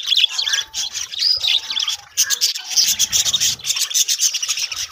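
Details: Budgerigars in a colony setup, pulsing rasping chatter and squeaky warbles in rhythmic bursts, several birds calling over one another.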